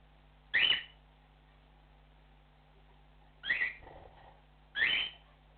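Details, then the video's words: Cockatiel calling to its flock with three loud rough rising chirps spaced one to three seconds apart, a softer murmur after the second, steady electrical hum behind. "Cockatiel flock call"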